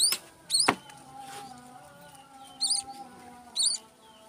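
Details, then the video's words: Four-day-old munia chick that fell from the nest: short, high, thin chirps with an arched rising-falling shape. They come in small groups of one to three peeps, spread over a few seconds, above a faint low hum. "4 day old baby bondol that fell from the nest"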